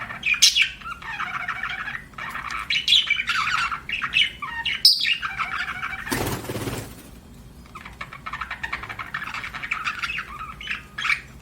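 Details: Budgie chirping: a continuous scratchy warble of quick chirps and squeaky notes, briefly interrupted by a loud burst of broadband rustling noise before the chatter resumes more softly.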